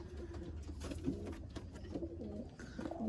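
Pigeons cooing in low, soft, rolling notes, repeated in short bursts.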